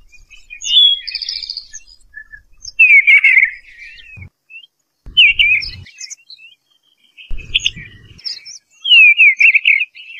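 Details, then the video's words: Eastern bluebird giving short warbled phrases about every two seconds, with low rumbling handling noise between some phrases. "Eastern Bluebird Call The Melodious Song"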